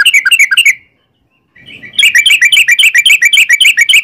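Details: Trucukan, a yellow-vented bulbul, in 'ropel' rapid trill: a quick burst of bright chattering notes, a silent gap of about a second, then a fast, even run of repeated sharp chirping notes to the end.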